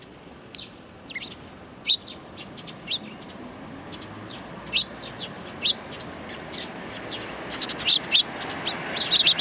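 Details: Sparrows greeting a person arriving on the way out, 7 April 2020, one bird with an injured leg; scattered short high chirps, sparse at first, then quickening into clustered bursts toward the end over a low steady background hiss.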